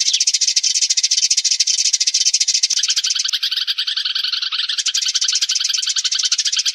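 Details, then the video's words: Sparrows calling the flock together, a sound for trapping: a steady, dense twitter of many chirping birds, relentless and without pauses. "tiếng chim sẻ gọi bầy"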